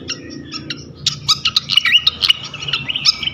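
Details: Brief flycatcher song used to bait other flycatchers: a few soft chips, then lively rapid twittering with sharp clicks and short rising whistles packed closely together.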